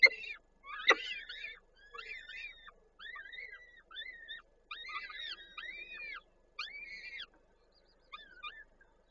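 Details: Peregrine falcons at their nest in Koszalin, Poland on 13 May 2022 as prey is brought and the female feeds the chicks. An early sharp click, then short arched whining calls about once a second in clean quiet.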